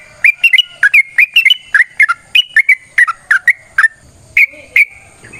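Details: Long chattering fighting song of a yellow-vented bulbul, played to make other bulbuls answer: quick liquid, fluty notes tumbling up and down in bursts about every third of a second, then a few slower spaced notes near the end.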